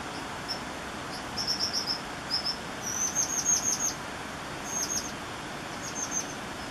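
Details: American dipper at Tumwater Falls Park in May 2014, a baby being fed, with song: short, very high, sharp notes in quick bursts of two to five over the steady roar of rushing water.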